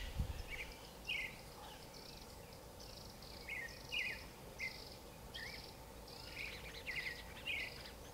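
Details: Creamy-bellied thrush singing: short, fairly high warbled phrases repeated about once a second over a steady background hiss, soft and somewhat distant.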